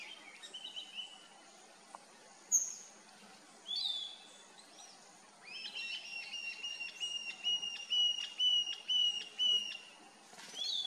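Bluish-fronted jacamar giving a run of high, thin whistled notes, about two per second, each rising then dropping, after a few scattered chirps.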